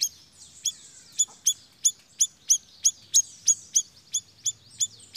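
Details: Siri-siri bird as a lure sound for attracting birds, repeating crisp, high, piercing chips about every third of a second, with faint twittering in the background.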